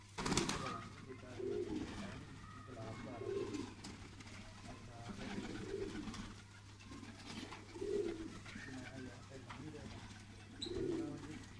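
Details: Painted pigeons kept in a loft coo repeatedly: low, rounded, throaty phrases come every two seconds or so, about five in all, over a steady low hum.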